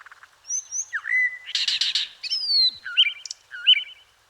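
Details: Blue mockingbird; song; attracting females and asserting territory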